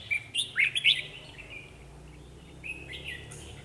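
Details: Red-whiskered bulbul decoy singing to lure wild birds for trapping: a quick run of bright warbled whistles, some sliding down, then a pause and a softer second phrase, in an outdoor setting.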